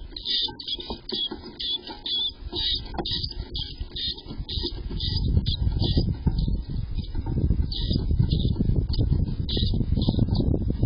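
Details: A chickadee at its nest in late May (May 25, 2023), with five chicks in the brood, gives short, high chirps in quick bursts, about two per second, over a steady low rumble.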